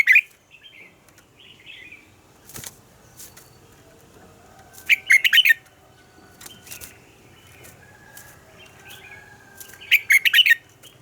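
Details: Red-whiskered bulbul in morning song, described as a double-note style: short, bright warbling phrases about every five seconds, with softer scattered chirps and clicks between them.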